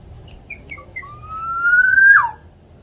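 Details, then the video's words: Javanese local black-naped oriole in lively song: a few short high chips, then one long clear whistle that climbs gradually and breaks into a quick downward flick, over a low background hum. "Kepodang lokal jawa gacor untuk pancingan supaya podang mu cepat bunyi"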